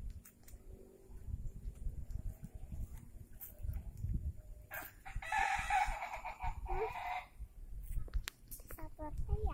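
A village rooster gives a single hoarse, drawn-out crow lasting about two seconds, rising then falling, over steady low rumbling background noise.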